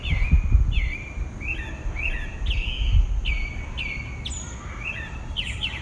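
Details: Pale-breasted thrush, one bird, in dawn song in southeastern Brazil: a flowing series of clear, slurred whistled phrases, some falling and some rising, delivered almost without pause over a low background rumble.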